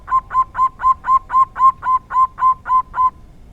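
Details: Rare 'dor tak kowor kowor' song of a local zebra dove: twelve even, ringing coos delivered at a steady rhythm, roughly four per second, then silence.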